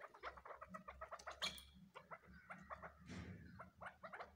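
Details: Crossbred chukar chicks calling together: quick, clucking chirps packed closely and overlapping, with several sharper notes standing out, over a steady low hum.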